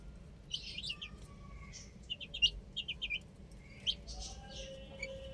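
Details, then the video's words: Young chickens on a roof peep in sparse, quieter clusters of high, quick chirps separated by short gaps, over a soft low background hum. "Adorable Chicks Chirping Sounds | Amazing Baby Hen Playing On Roof"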